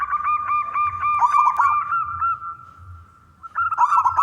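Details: Male zebra dove of local stock, sung to entice other doves to sing; series of clipped cooing notes about four per second, a rolling trill, a long steady fading note, then a renewed burst of rapid notes.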